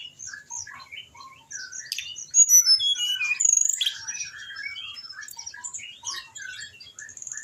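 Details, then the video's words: Anis binbin, an orange-headed thrush, singing in a training recording meant to coax lazy caged birds into song: a dense, continuous stream of varied whistles, chirps and sharp trills, loudest in the middle, with a steady high note at the close. "di jamin anis binbin bahan ikut bunyi"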